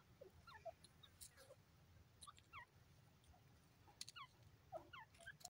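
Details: Francolin (Irani/dakhni teetar) gives quick series of short, sharp notes that slide down in pitch, repeating every second or two over a steady low rumble and a few clicks.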